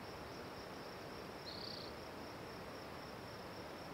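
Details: A spotted towhee gives one short, high-pitched buzzy trill in the middle of the recording, set against an even wash of background noise.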